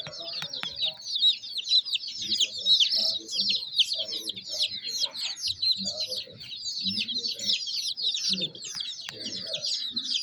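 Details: Young chickens chirping nonstop: a flock of chicks producing a thick, bright layer of high peeps, with quieter low murmuring sounds pulsing beneath.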